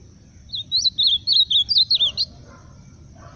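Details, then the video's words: A short, loud phrase from an ultramarine grosbeak: about ten rapid, wavering whistled notes run together over under two seconds, followed by quiet with faint low noise. "Azulão cantando forte"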